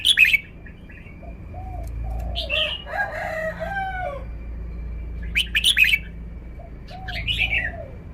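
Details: A caged red-whiskered bulbul shows its song phrasing: sharp, bright phrases at the start and after five seconds, plus a chattering, layered run between them. A lower, slurred call repeats behind, with a steady high tone.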